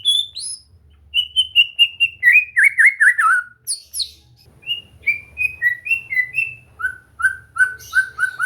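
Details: White-rumped shama in song training, delivering a series of clear whistled notes, then a rapid descending run, followed by steady repeated short whistles about twice a second, with faint low background hum.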